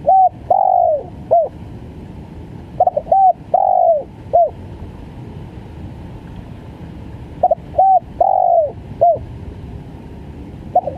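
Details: Spotted dove (tekukur) giving gagap full phrases: stuttered short notes, a flat coo, a long falling coo and a curt hooked note, the phrase repeated three times with pauses, over a steady low hum.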